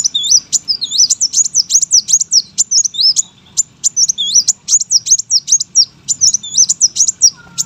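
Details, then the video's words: High-pitched, continuous warbling of a brown-throated sunbird kept for bird contests, a dense chain of sharp upslurred and downslurred squeaks with barely any gaps. "KOLIBRI WULUNG GACOR POLL, SUARA MASTERAN BURUNG LOMBA. KOWUL GACOR"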